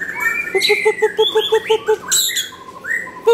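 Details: Nakhon Pathom white-rumped shama song: a descending whistle, then about nine evenly repeated low piping notes, followed by an upward-sliding whistle and a sharp burst.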